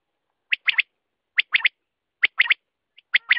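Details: Quail call: sharp three-note phrases, a short note followed by two quick ones, repeated about every 0.85 seconds in a clean, quiet recording.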